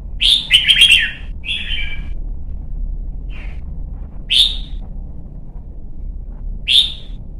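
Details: Red-whiskered bulbul, young caged bird trained for competition singing, giving a fast bubbling warbled phrase, a brief whistle, then isolated sharp upward chirps spaced about two seconds apart.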